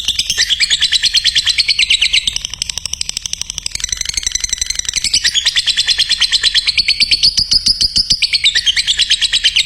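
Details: Tutor recording of a lovebird for training other lovebirds: a dense, unbroken high trill of rapid chirps, softening briefly in the middle before returning loud and steady.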